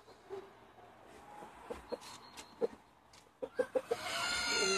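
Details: Chickens let out for the day in Longford, Ireland, 25 February 2016, flock of 70: short low clucks spaced irregularly, then a quick cluster of four clucks, ending in a louder, rising burst of noise.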